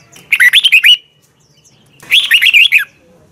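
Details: Red-whiskered bulbul morning song, double twisted voice style, for training birds: two lively phrases of five or six quick, twisting whistled notes, about a second apart.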